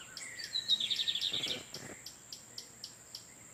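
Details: Wild lined seedeater males of the Torniado song style exchanging song in nature while a female incubates nearby: a short, fast buzzy high trill near the start, followed by quiet, evenly spaced soft chirps.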